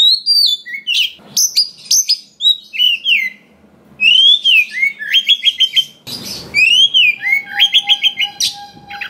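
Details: Long varied song of a forest-sourced white-rumped shama, meant to provoke rival shamas into singing: bright whistles, sharp high chips and rapid trilled runs in bursts, interrupted by two brief noisy rustles, with a steady hum near the end.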